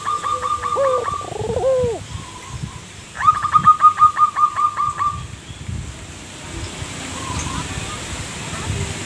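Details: A local zebra dove sings actively to entice other doves to answer. Brief coos with ticking notes come first, then a fast regular run of about a dozen clipped staccato notes. After that only faint, quiet background remains.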